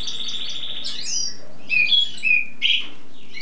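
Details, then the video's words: Springtime singer used as a tutor (cabresto), in its song-showing stage: fast even buzzy trill, swooping whistles, then a few loud bright chirps. "primavera cantando por horas sin parar!"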